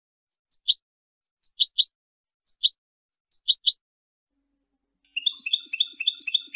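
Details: European goldfinch tutor recording for training, said to be error-free: four short high phrases of two or three clipped chirps, followed by a thick, fast jangling twitter to the end.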